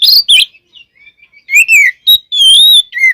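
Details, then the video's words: Oriental magpie-robin (kacer) song for provoking other birds: bright slurred whistles, a soft pause, then long drawn whistled notes and a final falling note. "Suara Burung Kacer Gacor Full Isian, Pancingan Kacer Gacor Agar Cepat Emosi"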